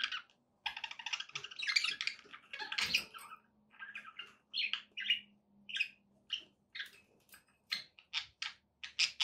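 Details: Budgies kept as pets, warbling to keep a pet parrot company; a rough, scratchy chatter opens, then gives way to clipped chirps and squeaks repeated about twice a second, over a steady faint hum.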